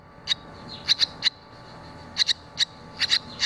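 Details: Young barn swallows leaving the nest, one having flown and come back: crisp high chirps delivered in double notes, clusters roughly every second, against quiet background.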